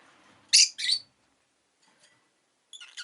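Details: Pet rosy-faced lovebirds, two new birds just added to the household, giving two loud harsh high chirps in quick succession near the start, then faint short notes and a softer double chirp at the end.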